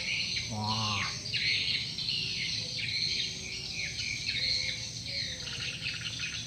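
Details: Swiftlet lure call played to attract birds, recorded while a flock circles and gathers; dense high chirping and twittering fills the clip continuously, with a brief lower descending burst near the start and people speaking around it.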